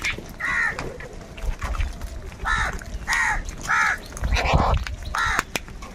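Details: Crows fighting over food, giving loud harsh caws in short bursts of two or three, with background rustling and faint noise.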